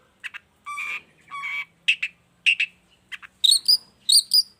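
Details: Long-tailed shrike song meant as a model to draw other shrikes into singing. Harsh buzzy notes, drawn-out raspy phrases, then paired high ringing chirps.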